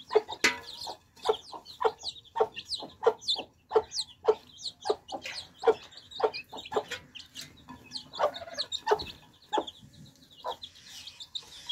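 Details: Thirsty baby chicks drinking fresh water peep in high, rippling chirps behind a run of sharp, evenly spaced pecking clicks, about two each second, which later become more irregular.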